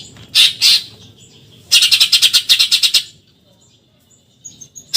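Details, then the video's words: Eurasian tree sparrow giving a 'tembakan nyerecet' chatter: two short high chirps, a pause, then a dense burst of about a dozen rapid sharp notes lasting just over a second, followed by quiet and faint high twitters. "TEMBAKAN NYERECET BURUNG GEREJA"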